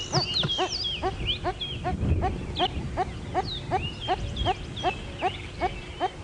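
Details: On a sunrise drive in South Africa's Djuma area on 9 November 2016, a red-crested korhaan, possibly a male, calls with a steady series of sharp clicking notes, two or three each second, as a second bird also calls; other birds whistle over engine rumble.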